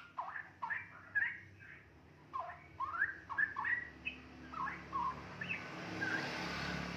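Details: Two-and-a-half-month-old captive straw-headed bulbul in early chattering song: bright warbled whistles tumbling in fast groups, a short break, then more upward-sweeping notes, ending with a rising hiss of background noise.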